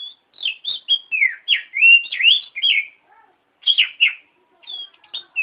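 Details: Oriental magpie-robin song used as a training recording for other birds: rich whistled phrases, sliding and warbling, mixed with quick chattery notes, delivered in rapid bursts with short pauses.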